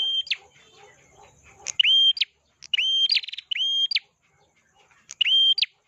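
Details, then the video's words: Prinia, called prenjak locally, in lively song: loud repeated whistled notes, each a sharp upward sweep into a steady high tone ending in a clipped flick, several phrases spaced about a second apart, faint murmur before the first phrase. "pernjak atas. gacor"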